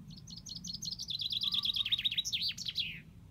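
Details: Common chaffinch delivering a full song: a series of sharp repeated chips that accelerate into a descending trill, ending with an emphatic twisting flourish.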